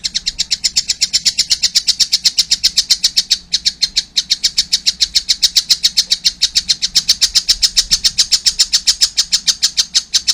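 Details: Young collared kingfisher keeping up a long, fast stream of shrill, rasping notes, almost four per second, with a momentary break before continuing strongly.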